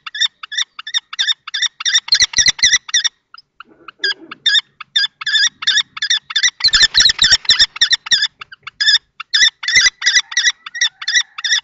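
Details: Two male common kestrels clash over a nest box at Théding, 20 March 2024. An adult male tries to drive off a younger juvenile-plumaged male. Shrill, rapid repeated notes come in bursts, with a short pause and soft knocks.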